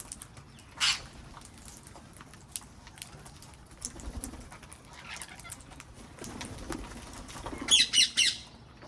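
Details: Garden with wild parrots: one harsh squawk early on, a long quiet stretch with faint sounds, then a rapid series of three loud rasping screeches near the end.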